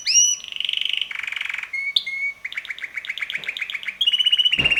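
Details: Red male canary about six months old, kept as a pet, singing most of the day with melodies that change weekly; a varied run of rising whistles, buzzy trills and fast repeated notes in quick succession.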